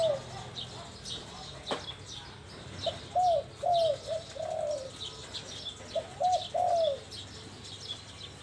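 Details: Spotted dove gives soft, hollow coos in two short phrases of three or four notes, each note rising then falling, with faint high chirps of other birds behind.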